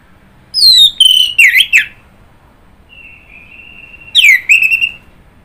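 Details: Orange-headed thrush singing rich whistled phrases: a falling note, a level whistle, then twisting warbled notes, followed after a pause by a long steady whistle and another bright rising-falling phrase.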